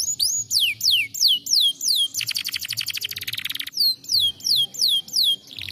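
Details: Singing canary meant to spur lazy canaries into song: high whistled notes sweeping downward in a steady series, broken midway by a long rapid rattling trill, then the sweeping whistles resume.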